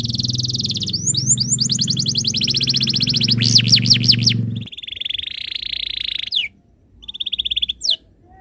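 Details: Canary tutor song for stirring other canaries into song: fast rolling trills and a quick series of swooping whistles over a low hum, then a steady buzzy roll and a short trill after a pause.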